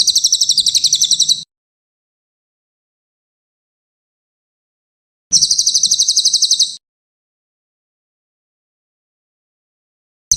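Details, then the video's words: Brown cililin, used as a master recording for training songbirds, gives high, fast, rattling trills about one and a half seconds long. They are separated by roughly four seconds of silence, and a third burst starts at the end. "mastetan burung cililin coklat, cililin gacor"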